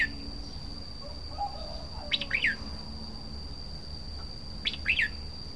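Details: Red-whiskered bulbul song heard at a distance: two short groups of rising-and-falling whistled notes about two and a half seconds apart, a faint lower chirp between them, and a steady high electronic-sounding tone throughout.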